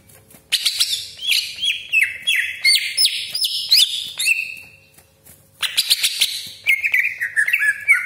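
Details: Greater green leafbird pouring out a loud, varied song of sharp whistles, harsh rasping notes and rapid stepped trills in two long bursts. This is a lure recording meant to provoke other leafbirds into agitated, full song.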